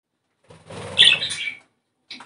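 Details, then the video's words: Budgerigar song played to stimulate breeding: a brief burst of harsh, buzzy warbling chatter with a low, rough under-buzz, rising to a louder scratchy peak midway before stopping, then a short chirp at the end. "ESTIMULAR CELO !!! CANTO PERIQUITO AUSTRALIANO!!"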